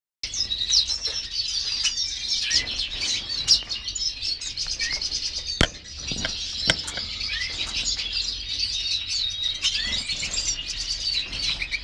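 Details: Black siskins twittering nonstop, a dense chorus of thin, high chips and buzzy trills overlapping from several birds, with a couple of sharp clicks partway through.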